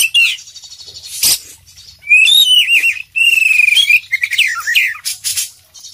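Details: Oriental magpie-robin, kacer poci, in energetic gacor song full of isian: a varied run of clear whistled phrases, quick rising and falling slurs and trills, interrupted by one sharp click-like burst early on.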